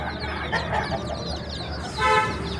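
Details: Chicks cheeping in quick, high, falling notes, partly tangled together, before a short horn-like toot with a loud burst near the end; low hum throughout.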